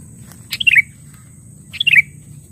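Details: Sooty-headed bulbul, used as a lure to challenge rivals: two short bubbly phrases about a second apart, each a quick cluster of bright notes sliding downward, with a faint hum beneath.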